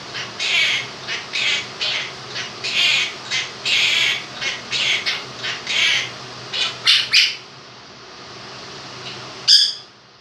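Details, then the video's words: Two-year-old male pet Quaker parrot singing his version of 'If You're Happy and You Know It', using only 'happy', 'clap your hands' and a do-do-do tune: a dozen bright, squawky syllables in quick runs, then a pause and one sharp note, with a fan hissing behind. "Quaker Parrot sings 'Happy And You Know It'"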